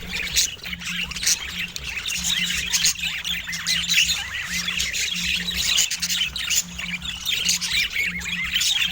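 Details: A dramatic pet budgerigar warbles nonstop, with many quick rising-and-falling chirps and squeaky trills packed closely together. A repeating low hum pulses underneath.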